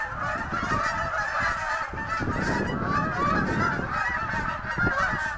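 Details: Massed snow geese stopping over on the St. Lawrence on their spring journey north, giving a steady wall of nasal honking and barking yelps from many birds at once, without pause throughout.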